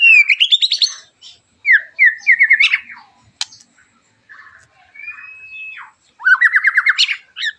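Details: Sharp, harsh song of a White-rumped Shama, used to provoke other shamas to sing: fast rising trills of repeated notes, clipped whistles, a single long level whistle, then another rapid ascending burst.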